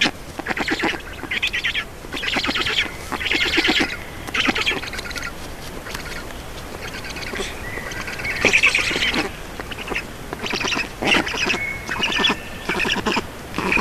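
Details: Black storks at an Estonian nest while being fed, 4 June 2019 in the evening: repeated bursts of coarse, rapid rattling and hissing calls, with a few squeaky tonal notes mixed in.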